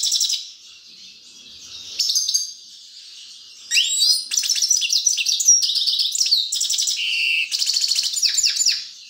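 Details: Grey-crowned goldfinch pouring out a fast, continuous twittering song of liquid trills, buzzy rattles and short whistled slurs, growing louder and denser after the first few seconds.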